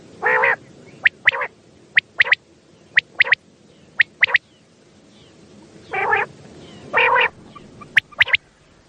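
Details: Common quail calling at night, used as a lure to gather quail for hunting in Pakistan: short sharp notes in pairs about once a second, with some longer buzzy bursts, over a steady background hiss.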